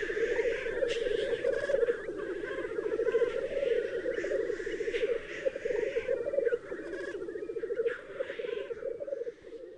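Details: Black grouse males at a spring morning lek on moorland in Highland Perthshire, April 2018, fighting for the right to mate, keep up a continuous low, dove-like bubbling rookoo, with fainter higher hisses and other birds' calls over it.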